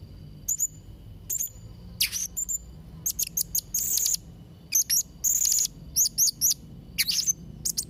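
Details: Blue-crowned hanging parrot (serindit trotol), singing actively for training young and molting birds: a busy sequence of very high squeaky chirps, rapid doubled notes and buzzy shrill bursts, repeated with short pauses.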